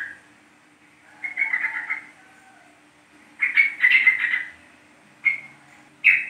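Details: Yellow-vented bulbul from East Java used as a lure to set other bulbuls singing; scattered short bubbly chirping notes and brief warbled bursts, with a faint steady background hum.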